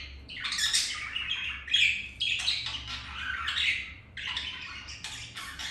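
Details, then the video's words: Budgerigars mating, a male mounting a hen after another female rejected him; continuous scratchy warbling chatter with squeaky rising notes, brief dip near four seconds, low hum. "Budgies mating"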